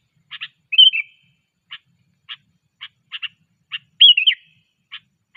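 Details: Sooty-headed bulbul in training: clipped chip notes, some in quick pairs, broken by two rich, bubbling whistled phrases that rise then drop, with quiet gaps between notes.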